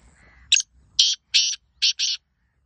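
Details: Black francolin calling: a short harsh note, then four loud grating, buzzy bursts spaced about half a second apart, with faint low murmur beforehand.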